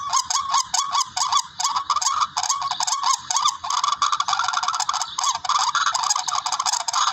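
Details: Hunting-lure recording of a barred rail: rapid series of harsh, honking notes with upward-bending tails, running together into a denser, raspier chatter toward the end.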